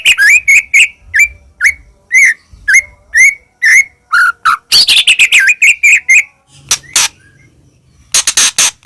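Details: Medan-type white-rumped shama singing vigorously with full mimicked fillers, played to make other shamas sing and get agitated: a series of clear whistled notes, each repeated every half second or so, then a dense tumble of varied rattling phrases.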